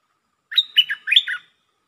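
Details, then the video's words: Red-whiskered bulbul phrase of five or six quick liquid notes, warbled up and down with a brighter peak near the end, clear and unaccompanied. "เสียงนกดอกแตงEp.131 นกดอกแตงจ้าวขุนศึก ลักเบิ้ล!!"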